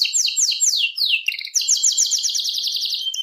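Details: Atlantic canary singing: fast, bright trills of descending high-pitched sweeps that melt into a rapid, even buzzing roll, ending on a short sharp note.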